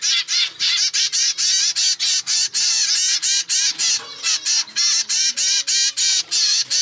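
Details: Zebra finch nestling, normal grey offspring of pied parents in a home breeding record, begging for food in a novel way. Fast, insistent stream of about twenty-five short, harsh, buzzy calls with rising and falling wavers. A faint low background hum is present.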